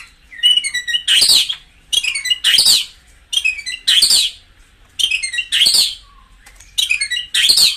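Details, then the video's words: White-rumped shama song, played to stir caged birds into fighting form: short phrases of bright high notes, each closing in a loud harsh burst, repeated about every one and a half seconds with quiet gaps between. "tiếng chích chòe lửa hót dùng kích chim căng lửa hiệu quả"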